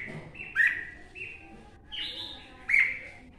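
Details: Red-whiskered bulbul, a wild-caught adult from Quảng Nam forest in Vietnam. Three or four sweet whistled phrases, some rising and some falling, sound softer against a noticeable low background rumble.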